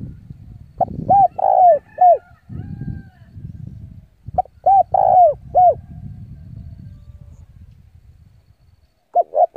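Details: Spotted dove used as a decoy to draw rival wild birds to its perch to fight; two full cooing phrases of a brief note plus three soft coos, then a fragment, over low murmuring background noise.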